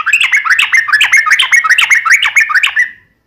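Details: Rapid wild-style fighting song of yellow-vented bulbul: tumbling, bubbly run of short warbled notes, rising and dipping, about two or three per second, fading out at the end.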